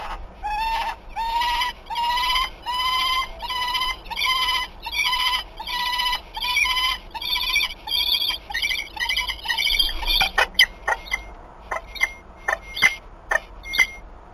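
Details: Peregrine falcons, a female with a new young male, at Wałbrzych, Poland, on 21 March 2022, calling during mating: harsh, harmonic wailing notes repeated roughly once a second for ten seconds, then sharp clicking knocks.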